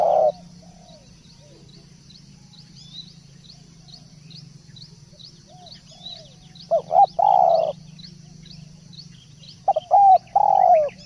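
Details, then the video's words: Spotted dove in active song, heard mainly late on as two short bursts of low mellow cooing, while thin rising chirps from another bird repeat steadily throughout over a low hum. "Masteran Derkuku / Tekukur gacor"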